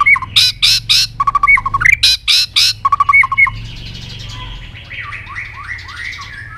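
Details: A White-rumped shama gives a very long song while flicking its tail aggressively, used to provoke other shamas: loud harsh bursts mixed with clear whistles for three seconds, then a softer run of quick slurred, rising notes.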